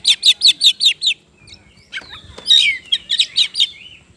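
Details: Oriental magpie-robin, known locally as kacer, song used to provoke other birds into singing: a fast run of six sharp repeated chirps, a pause of scattered notes, then another rapid burst of high trilled phrases.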